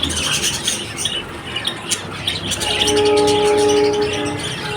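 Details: Lovebird chirping in rapid sharp bursts, several per second, then a steady tonal hum with stacked overtones rising in the background under the continuing chirps.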